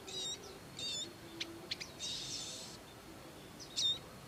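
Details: Bar-winged prinias caring for young in the wild: short harsh buzzy notes, then a longer hissing buzz lasting almost a second, followed by sharp clicks and a loud final chip.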